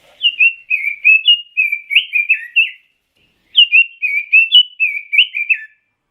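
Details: Pekin robin (red-billed leiothrix) singing two fluid, warbling phrases of bouncy whistled notes that slur up and down, the first lasting about two and a half seconds, separated by a brief pause. The background is quiet.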